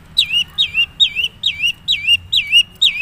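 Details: Long-tailed shrike of the Madura type in natural song: a steady series of six squeaky, wavering notes, each a quick slide up and down, repeated about every half second.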